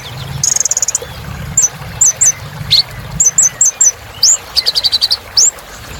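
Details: Kolibri ninja sunbird in chatty 'gacor' song, used as therapy for birds that stopped singing: a brief fast trill, scattered high chirps in pairs, a rising squeak and another stuttering trill.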